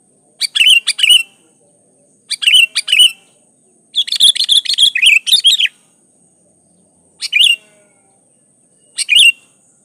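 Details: Sooty-headed bulbul in gacor song for luring others to sing: paired chirpy phrases, a longer dense chattering burst, then two single whistled phrases spaced apart.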